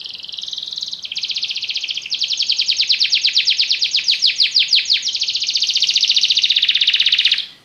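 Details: Extended song of a yellow Belgian canary: buzzy trills change pitch in steps, followed by rapid rattling notes and a sustained rolling trill before stopping.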